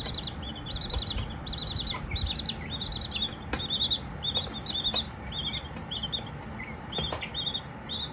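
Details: Baby Silkie chicks chirping: many fast, high peeping notes in short trilled bursts overlap almost continuously, with a low background rumble and occasional sharp clicks.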